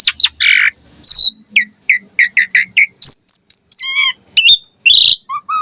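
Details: Javan pied starling song used as a lure and tutor for young starlings: a lively jumble of short whistled notes, a run of evenly spaced mid-pitched chirps, then high rising whistles and harsh, buzzy bursts.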